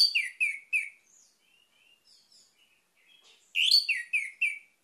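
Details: Orange-headed thrush song: three loud slurred whistles, a stretch of faint, thin twittering, then a second loud burst of rich, descending whistled notes.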